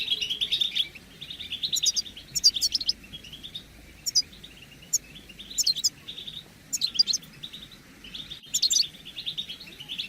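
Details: Collective twitter of European goldfinches, used to stir males into song and mating readiness: repeated clusters of bright, tinkling trills every second or two, separated by quieter chirping.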